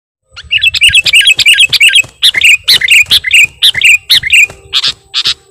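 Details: Sooty-headed bulbul lure recording used by bird catchers: rapid run of bright, clipped chirps, some with a sliding twist, delivered in quick bursts of about two per second with brief gaps.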